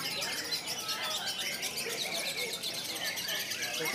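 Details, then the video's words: A lovebird pours out a long, clear, rapid stream of high, scratchy chattering and buzzy trills, the "konslet" style of song, while people talk in the background. "KICAUAN LOVE BIRD KONSLET RUN MAN GACOR ‼️ JERNIH DAN PANJANG"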